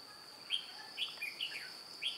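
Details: Trapping decoy red-whiskered bulbul, white-cheeked and flicking wings and tail, 2 July 2018: a quick run of clear, slurred whistled notes, some falling, over a thin steady insect tone.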